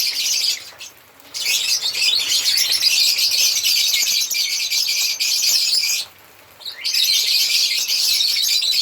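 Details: African lovebirds singing and chirping in a steady, high, buzzy chatter of fast squeaks, stopping twice for about half a second before resuming.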